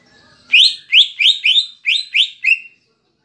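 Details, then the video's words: Caged cucak ijo giving kapas tembak-style fill to stir up another bird: seven loud, evenly spaced notes, each sweeping upward then trailing down, over about two seconds. "Pancingan Cucak Ijo (Isian Kapas Tembak) Agar Emosi Jamtrok"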